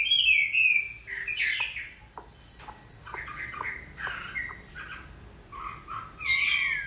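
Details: Chinese hwamei almost finished moulting, singing during rain: broken whistled phrases and scratchy notes with gaps, loud again at the end, over constant rain hiss.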